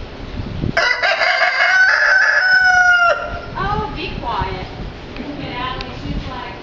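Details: Loud sustained rooster crow at an animal safari park, a strained harmonic call lasting about two seconds, followed by softer calls from other birds and background chatter.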